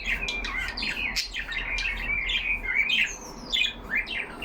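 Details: Pet budgerigars in a cage conversing among themselves with continuous warbling, bending whistles and rasping squawks, loud and busy throughout with no gaps.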